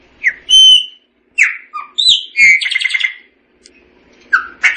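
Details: Short Chopi blackbird phrases: a pure whistle, falling slurred notes and a buzzy rattled note, separated by brief pauses with faint background hum.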